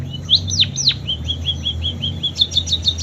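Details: Munia with canary imitations: a few loud swooping falling whistles, then a run of short even chirps, closing with a quick high trill, over faint low hum.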